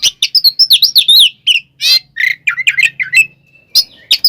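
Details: Provoking fighting song of an oriental magpie-robin: quick sequence of swooping whistles and chirps, a raspy burst, varied warbled phrases, then a held tone and sparse sharp notes.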